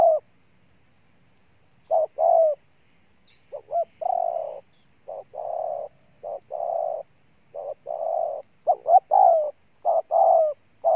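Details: Cooing from a strong-voiced decoy spotted dove: after a pause, the bird settles into repeated deep coo pairs that speed up and crowd together toward the end.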